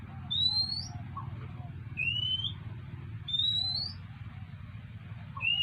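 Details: Oriental magpie-robin coming to beg for food, giving clear rising whistles about half a second long, repeated roughly every one and a half seconds, four in all, over a steady low rumbling background hum.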